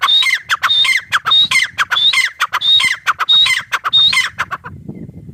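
A grey francolin gives loud, harsh, ringing calls, each a high whistled note dropping into grating syllables, repeated about every 0.7 seconds for five seconds.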